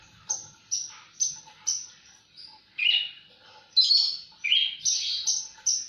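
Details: A Javan bush lark delivers a chain of high, clear level notes that give way to denser, buzzier warbled phrases in the second half, spaced roughly once a second, over a quiet background.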